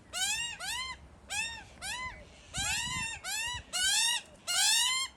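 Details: Two hungry Australian magpie chicks hidden in a tree, crying loudly for food while parents tend them; harsh, harmonic rasping calls with rising then falling arches, given in bursts about every half second, overlapping between chicks.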